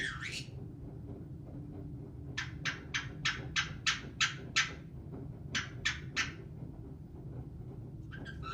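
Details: Pet caique parrot vocalizing: harsh broadband squawks, a single one, then a rapid run of about nine, then a shorter burst of three, over a low indoor hum.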